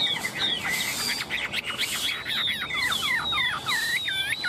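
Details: Very tame Chinese hwamei, held in the hand and teased yet singing confidently, delivers rapid, repeated looping whistled phrases that slur up and down, then a run of bright rising notes, loud and continuous.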